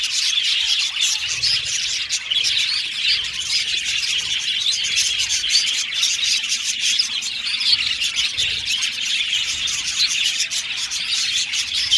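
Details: Many budgerigars in a colony aviary chattering nonstop, a thick wash of high chirps, trills and squeaky notes holding a steady level.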